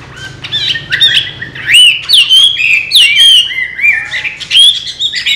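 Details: Chinese hwamei, an owner-trained pet bird that leaves its open cage and flies back in, delivering a rich, varied song of loud rising and falling whistles, fast slurred notes and high sharp accents, phrases tumbling together without pause.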